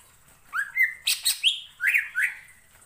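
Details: Greater green leafbird singing in a short burst to provoke other leafbirds: rising whistles, a scratchy chirp, then several clear slurred notes in quick succession.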